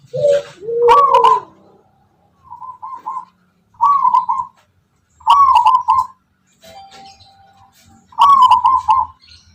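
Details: Tuban-strain local wild zebra dove giving its rhythmic, melodic song. A lower two-note sound opens, then bubbling, rolling coo phrases about a second long repeat every few seconds, with pauses between.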